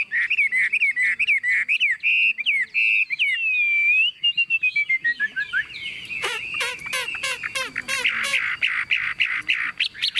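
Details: Tame Chinese hwamei in a hand-carried cage. Its song has fast repeated warbled whistles, a long smooth upslurred whistle, then a descending run of short notes, followed by dense sharp chattering and rattling phrases.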